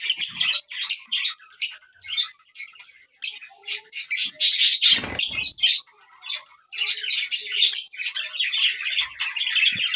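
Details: Lutino Fischer's lovebird chattering with loud, shrill squawks and chirps in irregular bursts, one brief broadband rustle or thump midway, then a renewed run of high screechy calls.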